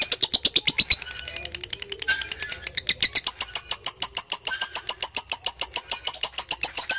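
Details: Lovebird in a long ngekek song for bird training: a steady stream of sharp, high ticking pulses, briefly softer near the start and then strong again for the rest of the seven seconds.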